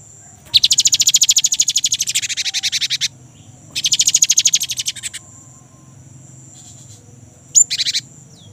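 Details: Young great tit in lively rolling song, used as a lure to set kept birds singing: two long rapid buzzy trills of many fast even pulses, the first about two and a half seconds, then a short burst, over a steady high whine.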